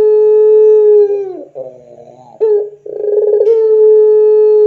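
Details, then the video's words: Puter pelung dove giving a lure coo for training: a long level hollow note breaks into a wavering gurgle, a sharp restart, then another long steady coo held to the end. "SUARA PANCINGAN PUTER PELUNG GACOR COCOK UNTUK MASTERAN PUTER PELUNG apapun"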